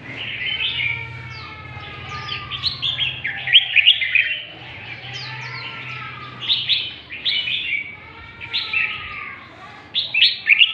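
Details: Red-whiskered bulbul from the north, lân tê song style: repeated lively phrases of liquid, slurred whistles and quick chirps, each phrase rising then tumbling, returning every few seconds, with a faint low background hum.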